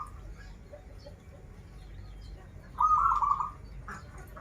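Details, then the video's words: Local Banten zebra dove in full song, with krital and warung kebek song styles: a single short, loud, rolling trilled coo rising out of a quiet, faintly noisy background. "Perkutut lokal gacoran suara krital, warung kebek, dan suara aneh"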